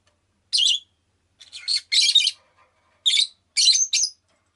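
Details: Chirping rosy-faced lovebird, a pet bird: about six harsh, high chirps, including a wavering, scratchy phrase in the middle, followed by sharper paired notes.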